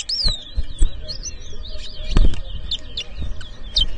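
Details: Chestnut-bellied seed finch, called towa towa, whistling at a 2023 bird-ground contest in Edinburgh Village, Guyana: a long run of high, wavering, slurred whistles with thumps and faint people underneath.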